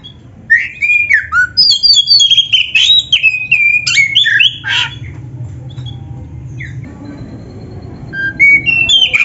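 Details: Tutor song of an oriental magpie-robin (kacer) for training caged birds: a rich run of loud, shifting whistles and trills up to high notes, then a pause before short rising whistles return, with a steady low hum beneath.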